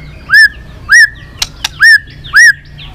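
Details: White-rumped shama song for training and provoking other shamas: clear upslurred whistles with a ringing tone, repeated about every half second, plus two sharp clicks.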